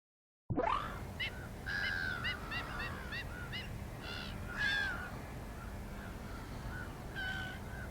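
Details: Black-winged stilt uttering a string of short, harsh, yapping notes, bunched in quick groups and then spaced out, over a steady background hiss.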